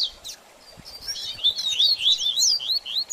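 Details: Double-collared seedeater baderninha song for stimulating a post-moult bird: a quiet start, then a brisk rush of high, slurred chirps rising and falling, dense and excited.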